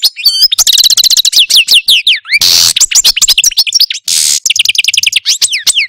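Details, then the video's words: Pet Algerian Parva goldfinch in a cage singing a loud, complex song of rapid sweeping trills interrupted by two harsh buzzy bursts, phrases tumbling quickly one after another. "Algerian Parva goldfinch, Chardonneret, Cardelino, Jilguero Stieglitz, Stillits LONG VIDEO (Pipeew)"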